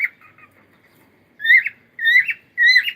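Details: A cockatiel sings soft chirps followed by three loud whistled notes that rise and break into a warble, spaced about half a second apart, in a quiet room.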